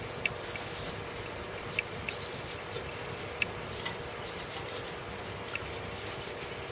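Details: Common blackbird chick with its mother in a garden; brief high, thin triplet notes repeated at about 0.5 and 6 seconds, with scattered soft clicks over quiet background.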